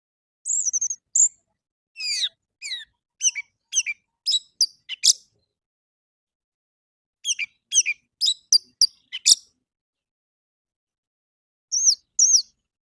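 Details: Orange-headed thrush in the morning, singing as a lure to prompt captive birds to sing: quick bursts of sharp, sweeping chirps and clicks delivered in rapid series, with short high whistled notes at the start and end and quiet gaps between.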